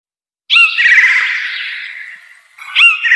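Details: Blue jay (Cyanocitta cristata) giving a harsh, noisy squawk that trails off over about two seconds, followed by the start of a second loud raspy call.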